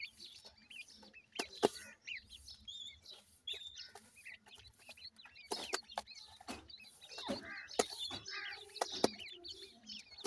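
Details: Several grey francolin chicks call for their mother with continuous high peeping and short slurred whistles, overlapping one another, with frequent clicks and rustling handling noise.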